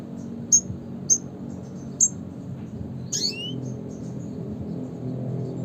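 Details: A red siskin repeats thin, high chip notes roughly every half second, then gives a rasping, falling buzzy call; faint low-pitched background rumble throughout.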